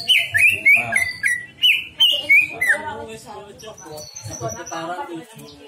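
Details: Greater green leafbird song used as a lure to draw out other birds' repertoire: loud, clear slurred whistles repeated rapidly for three seconds, then fading into a murky, noisy background with a faint high thin note.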